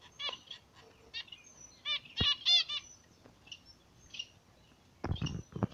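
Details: A pair of zebra finches in the morning sun: nasal, harmonic-rich chirps in quick clusters, a run of rapid stacked notes near two seconds, then broadband rustling or wing flapping toward the end.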